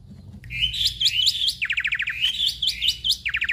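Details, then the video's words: Black-winged myna in full 'gacor' song with mimicked fillers: looping whistled swoops alternating with rapid trills of tight chattering notes, delivered continuously and energetically. "Jalak Putih Gacor Full Isian"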